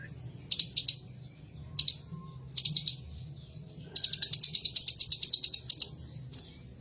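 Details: Kolibri ninja, the purple-throated sunbird, gives a few short high trilled bursts, then a long, fast, very high ticking trill of steadily repeated notes, finishing with a thin whistle.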